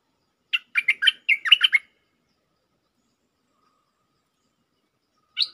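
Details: Bright, bubbly phrase of about eight fast whistled notes from a streak-eared bulbul lure song in the 'Chao Bank' style with doubles, followed by silence and one lone sharp note at the end.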